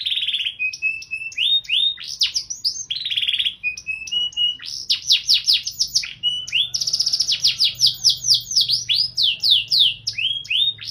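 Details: Canary in lively 'gacor' song in the 'cengkok mewah' style: fast rolling trills of steeply falling notes, buzzy sustained passages and brief clear whistles. The phrases run almost without a break, over a faint low hum.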